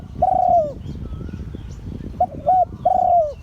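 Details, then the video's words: Spotted dove, auspicious line, crowing in Liu Tan style: one long sliding coo, a pause, then two clipped coos and another long falling note, with soft low background rumble. "เสียงขันนกเขาใหญ่ # หลิ่วตัน # นกเขาใหญ่สายมงคล"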